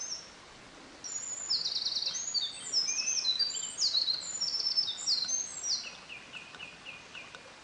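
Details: Eurasian Wren singing at close range by a stream on 24 May 2013, seemingly competing with a distant Japanese Thrush. After a brief pause, a forceful, very high outpouring of rapid trills, ending in a quick series of evenly repeated notes.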